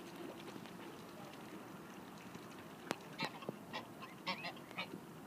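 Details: Mute swan at the Blaues Wunder bridge in Dresden, Germany, on 27 October 2016 at 17:49; several short nasal honks in quick succession in the second half, over a steady rumble of background noise.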